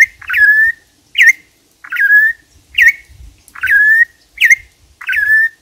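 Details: A Campo troupial (Icterus jamacaii) sings, repeating a loud, clear whistled note that swoops up and then levels off, about once a second, with faint low thumps in the background.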